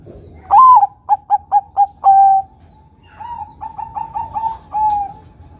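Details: Crossbred Bangkok-local zebra dove in full song, used to prompt other birds to sing: a long coo, four short coos and a drawn-out note, then a softer run of quick fluttering coos ending in a longer one.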